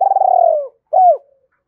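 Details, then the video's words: Lure-calling spotted dove in Hai Hau style, used to provoke wild doves: one long, tremulous coo that gradually falls in pitch, then a single rounded, arching hoot after a short gap. "tiếng cu gáy mồi chuẩn gáy gọi HAI HẬU dùng kích bổi gáy vang cả buôn làng"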